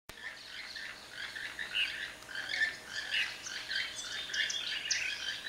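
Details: A group of five or more toucans in a fig tree at a jungle lodge in western Belize call to each other with dry, croaking notes that sound remarkably like frogs.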